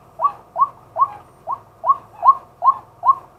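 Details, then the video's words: Daytime calls of a male white-breasted waterhen, captured live by a set camera used for luring. Eight rapid, arched, slightly rough notes repeat at a steady pace of roughly two per second, with faint low rumble beneath. "เสียงนกกวัก ตัวผู้ ต่อกลางวัน ตั้งกล้อง อัดสด"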